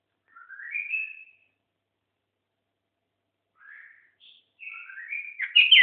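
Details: White-eared bulbul, seven years old, singing short clear whistled phrases that rise slightly, separated by a long pause, ending in a louder burst of warbling notes.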